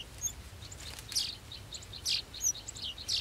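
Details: Nestling golden sparrows, anticipating a feed, make scattered high, sharp chirps and short squeaky notes, roughly one per second, rising and falling in loudness against a faint low background hum.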